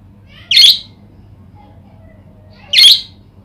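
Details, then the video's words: Budgerigar calling to stimulate other budgerigars to answer and sing: two loud, harsh, bright squawks about two seconds apart, each lasting under half a second, over quiet background hum. "Pancingan parkit agar gacor"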